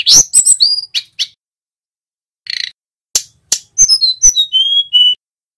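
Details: Male tledekan gunung, a flowerpecker, giving quick clicks and high chips, then a pause and a scratchy burst, ending in a run of pure descending whistled notes that settle into a steady tone.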